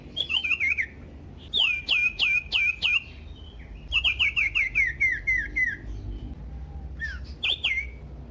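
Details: Loud, varied Common iora song played to provoke other ioras into singing: rapid series of downward-sliding whistles repeated several times a second, each with a lower rising sweep, in three bursts.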